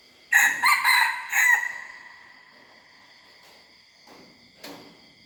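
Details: Young hybrid red junglefowl learning to crow: one hoarse, broken crow of about 1.3 seconds made of several rough bursts, fading out. A steady high insect drone runs throughout, with a faint rustle near the end.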